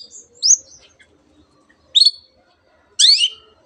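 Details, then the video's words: Long-tailed shrike in song, drawing on mimicked canary and other species: three separate high, sharp chirped phrases about a second apart, with quiet pauses between. "cendet gacor nembak nembak rapat isian kenari dan banyak jenis burung yang masuk masteran"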